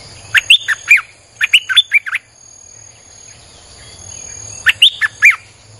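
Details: Continuous 'sap dok' song of a streak-eared bulbul, played to attract wild birds: three lively phrases of five or six fast, bright chirps swooping up and down, each roughly a second long with short gaps.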